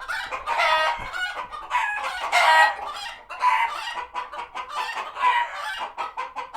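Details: Frenzied barnyard flock of chickens alarmed by a hawk nearby at a farm sanctuary; loud, near-continuous overlapping squawks and raspy cackles with rhythmic staccato clucks underneath.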